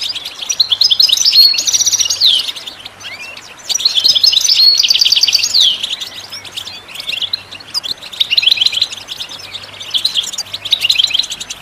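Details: Goldfinch song recorded as audio to stimulate other birds to sing: rapid, bright twittering phrases with tinkling trills and liquid notes in dense bursts of about two to three seconds, separated by brief pauses.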